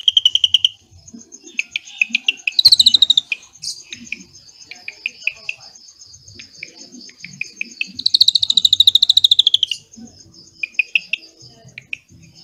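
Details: Drongo singing cililin-filled phrases, used for training white-rumped shamas: sparse sharp chips and short bursts separated by quiet spells, with two dense buzzy trills of a couple of seconds each.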